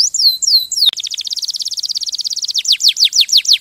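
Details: Canary song: a few descending whistled slurs, then a long rapid trill of clipped high notes, shifting into quick downward-sweeping repeated phrases.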